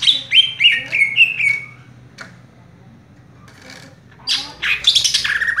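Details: Caged green leafbird (cucak ijo) delivering "raja tembak" song from one fixed spot: a rapid series of descending whistles, a pause of near quiet, then harsh, buzzy high bursts.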